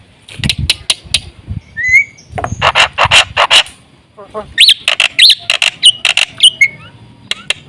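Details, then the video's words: Chattering Black-winged myna song played as a lure for mynas. Rasping bursts repeat rapidly in clusters, broken by bright upward-sweeping whistles and thin high notes, with a brief lull before a second volley. "suara jalak putih gacor full isian sekali pancing burung jalak satu rumah ribut gacor"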